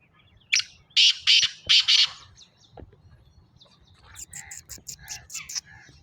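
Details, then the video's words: Black francolin calling with a series of loud, harsh, buzzy syllables in a rhythmic run, then a rapid patter of thinner, high scratchy notes and low background hum. "کالا تیتر کی آواز ٹانگ کی بولیاں"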